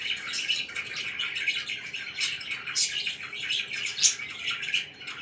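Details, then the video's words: Indoor pet budgies chirping at morning time, a thick unbroken mix of rapid warbles, clicks and high squeaky notes. "CHIRPING IN THE MORNING"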